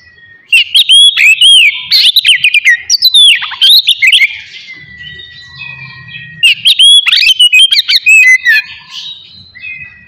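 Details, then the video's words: Oriental magpie-robin song played in the morning to stir aggression and breeding urge in other magpie-robins: loud varied whistled phrases with rising and falling slurs and harsh chatter, in two bursts separated by a quieter stretch with low hum. "TERAPI PAGI COCOK BUAT MANCING EMOSI DAN BIRAHI KACER SUPAYA CEPAT GACOR DAN BUKOR"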